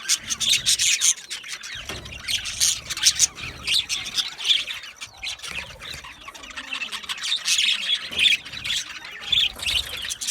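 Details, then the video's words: Constant chirping of Australian budgies: many small parrots twittering and warbling at once in irregular loud bursts, with scratchy squawks mixed in over ten seconds. "Australian Budgie parrot chirping sounds | beautiful Budgie birds sounds"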